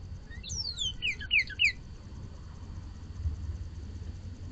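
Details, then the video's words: Northern cardinal singing at night in the dark, a brief burst of quick, overlapping downslurred whistles in the first two seconds, then only a low, steady rumble. "Cardinal Sings in the Dark"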